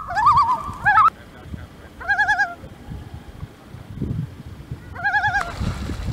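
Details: Loons at Lake of the Woods calling for their young, wavering tremolo-like calls in three bouts, each about half a second, separated by pauses, over low rumbling background noise.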